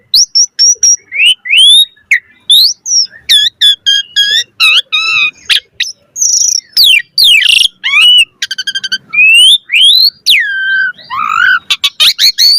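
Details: Asian pied starling in lively, varied chattering song, used as a master recording for training other starlings: loud whistled notes, rising and falling slurs, rapid buzzy bursts and clicking trills follow each other almost without pause; no other sounds.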